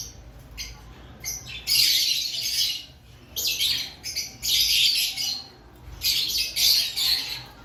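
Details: Lovebirds in an aviary before the breeding season: harsh, high squawking chatter in dense bursts of about a second, with short quiet gaps between them, indoors.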